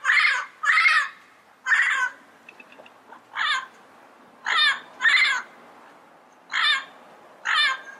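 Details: Yellow-headed parrot uttering harsh, nasal squawks singly and in pairs, separated by pauses of one to two seconds, with faint soft chatter between calls.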